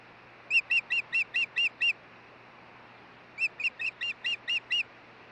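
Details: Osprey at the Hellgate nest in Montana on 16 June 2013, as one bird brings a stick and the pair change over on the nest: two bursts of seven sharp, high, whistled chirps in quick even succession, over a steady low hum.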